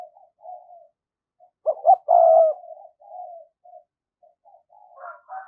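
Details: ['Spotted dove kept as a decoy to attract wild birds, thổ-style voice: soft coos, then a loud stuttered double note and long hoarse coo, followed by murmured notes and a brief higher note.']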